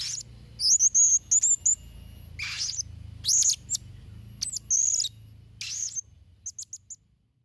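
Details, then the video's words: Blue-crowned hanging parrot in full song: loud, very high whistled squeaks in quick groups of three or four, broken by harsher rasping bursts, then trailing off into soft, faint ticking notes in a quiet background. "Variasi & Isian Suara Serindit Trotol Gacor"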